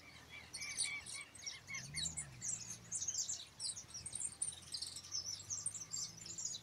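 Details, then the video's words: Goldfinches starting to sing as the season approaches, heard faintly: rapid high twittering and sharp chirps run throughout, with a low hum underneath and a soft background hiss. "Ya empiezan a cantar los jilguero"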